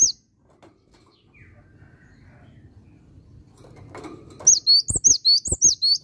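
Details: Cinereous tit breaking in near the end with a quick run of high two-note whistled phrases after a stretch of quiet low background noise.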